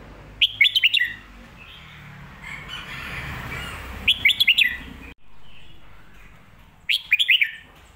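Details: Singing red-whiskered bulbul in the popular phat kuay tiao or mae bot song style. Three crisp bursts of four or five looping whistled notes, spaced roughly three seconds apart, over a low background hiss.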